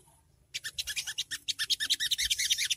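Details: Quick series of scratchy, high, rattling notes from a Long-tailed Shrike ngriwik call, used as early training audio to lure birds into replying; silence first, then steady rapid chatter.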